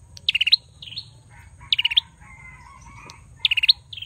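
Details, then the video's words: A Bar-winged Prinia repeats a high, quick phrase of about five chirpy notes every one and a half seconds, with softer whistles from other birds faint between phrases. "Prenjak Belukar Gacor"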